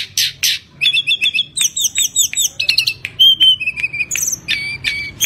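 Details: Kept tledekan gunung from Java in full song, used to prompt other birds to sing: two buzzy bursts, then a busy sequence of high chirps, trills and clear whistled notes, some held briefly, with faint low background hum.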